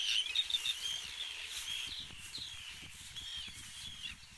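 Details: Arctic terns dive-bomb the recordist at Trékyllisvík on Iceland's Strandir coast, several birds at once giving a rapid, overlapping stream of harsh, grating high-pitched cries over a faint low rumble of wind.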